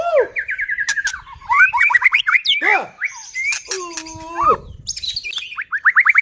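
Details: White-rumped shama in full song, used as a lure to provoke other shamas into singing: a varied run of rapid whistled trills, sliding notes and steady held tones, with a few sharp clicks mixed in.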